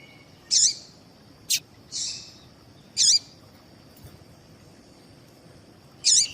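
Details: Double-collared seedeater female call used to excite males into singing: four high, piercing chirps and one softer buzzy note spaced irregularly over six seconds, with a constant thin hum in the background.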